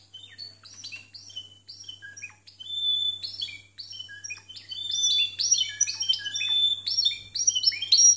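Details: Timbrado canaries of the discontinuous song style, rated 92 and 93 points, poor sound quality. High whistles and quick chirped notes start quietly and swell into denser, louder trilled phrases toward the end; constant low hum beneath.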